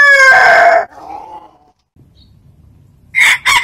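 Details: A rooster crow trails off at the start with a loud harmonic tone, then faint low noise. A new crow begins with two rough bursts near the end.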